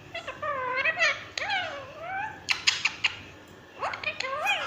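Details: Pet green ringneck parrot indoors in a small room, imitating speech with wavering, word-like phrases and sliding tones, broken by a few short clicking squeaks.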